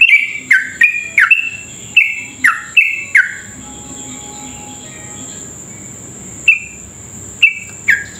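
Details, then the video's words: Yellow-vented bulbul giving its rapid-fire lure song to draw other bulbuls into singing. A cluster of bright, slurred chirps gives way to a long pause, then a few isolated notes, over a continuous faint high tone. "trucuk gacor ropel panjang cocok buat pancingan trucuk cepat ropel"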